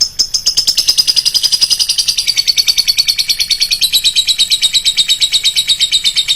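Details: Lovebird lure sound with a shrill voice: a dense, fast, unbroken chattering trill of high, sharp notes that runs steadily through the whole stretch, with faint steady high tones behind it.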